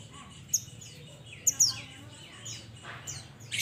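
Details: Mountain mantenan calling its companions: scattered sharp, high, falling notes over a faint background murmur, with a louder chip at the close.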